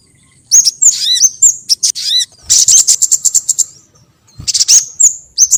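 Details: Sogon bird lure call used to attract sogon birds: very high, sharp chirps and rapid buzzy ticking bursts, with a few clear notes that dip then rise, broken by short silences.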